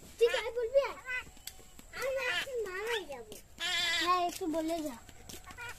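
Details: A talking common myna delivers wavering, nasal, speech-like phrases, including one longer buzzy stretch, with brief gaps between groups.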